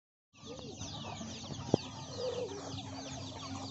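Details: Many hens and chicks eating young rice given by farmers; a steady wash of high, downslurred chick peeps with a few low hen clucks underneath and one sharp knock midway.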